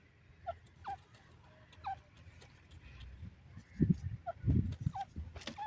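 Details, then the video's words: A female grey francolin (Dakhni teetar) in the wild gives short, clear, slightly bending notes, several over a few seconds at an uneven pace, over low rumbling and thumping noise. "Dakhni Teetar Ki Awaz in the Wild,Female Partridge Sounds"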